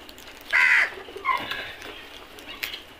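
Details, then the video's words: Flock of crows feeding together: one loud harsh caw near the start, followed by a softer second caw and fainter calls from other birds in the background. "Flock of crows beautiful sound effect and their traditional eating style"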